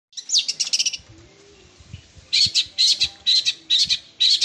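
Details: Long-tailed shrike song with sparrow-like notes and rapid 'sewing machine' rolling bursts: a quick run of buzzy high chips, a short pause, then evenly spaced loud chattering notes about twice a second.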